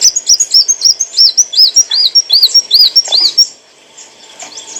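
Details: Olive-backed sunbird song for training cage birds: about a dozen clear, high, arched whistled notes repeated evenly in quick succession, then fading to faint distant twitters.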